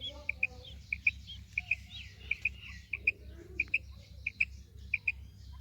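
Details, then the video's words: Female quail giving a call of two quick, clipped notes, repeated about every two-thirds of a second. A faint chatter of other birds and a constant low hum run underneath. "Maadi Batair Ki Awaz, Female Quail Calling, Female Batair Ki Awaz,Maadi karkari Female Quail voice"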